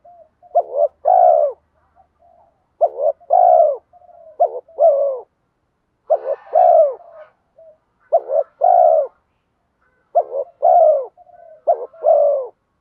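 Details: Spotted dove, a 'giọng đồng' decoy bird used to lure wild doves, repeating its coo phrase about every two seconds: a quick broken double note, then a long falling coo, with faint soft murmurs between phrases.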